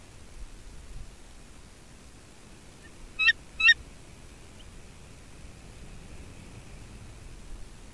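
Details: Bald eagles at a nest in Two Harbors, filmed on 13 May 2023 at 08:36: two brief, sharp, high chittering call bursts close together, otherwise a quiet background with low hiss.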